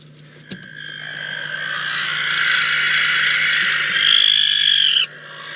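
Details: Barn owls at a nest-cam site in Catalonia, Spain, on 19 August 2022, mating. One long, harsh, hissing screech holds steady for about four seconds and ends abruptly, with a constant low electrical hum behind it.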